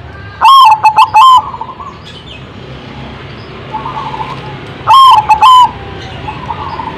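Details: Zebra dove cooing in two bursts about four seconds apart, each a quick run of clear, hollow, level notes, the first note drawn out, followed by softer trailing coos over a steady low background hum.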